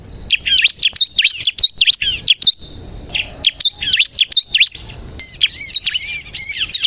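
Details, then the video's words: Lively bar-winged prinia song meant to lure and trigger others to sing: fast runs of high, sharp downslurred chirps in short bursts separated by brief pauses, ending in a string of clearer repeated whistled notes. "suara burung ciblek kristal gacor untuk pikat dan pancingan ciblek bahan agar bunyi"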